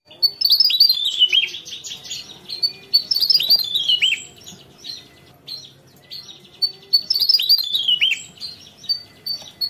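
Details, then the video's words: A Javan tesia (Tesia superciliaris) sings its typical song: loud, high, tumbling bursts of squeaky whistled notes that cascade downward, in three spirited phrases with short pauses between. "Tesia Jawa Gacor Ngerol"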